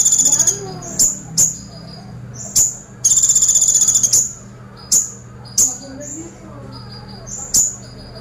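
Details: Brown-throated sunbird song in 'tembakan pelatuk' style, with two short, fast high rattles mixed among many crisp, piercing chips repeated roughly every half second to second, and a steady low hum behind.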